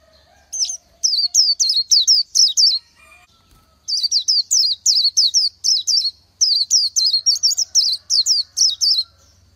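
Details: Continuous song of a wild Oriental white-eye: three long strings of rapid, high twisting whistled notes with short pauses between them, background otherwise quiet.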